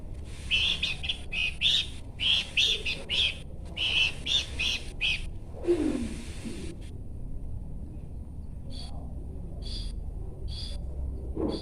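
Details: Bush babbler (pelanduk semak) singing: bursts of clear notes around the upper-mid range, delivered in quick clusters over the first seconds, then a short pause and a few spaced repeated phrases, over steady low background rumble.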